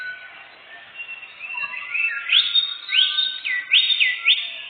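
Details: Lure song of a canary for bird hunting in the forest. It begins with soft warbling and builds into loud, repeated rising whistles and quick trills.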